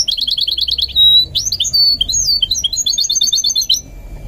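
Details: Rapid chirping trill from a goldfinch mule under song training, broken by a short steady whistle, then slurred twisting notes and a closing string of quick metallic twitters.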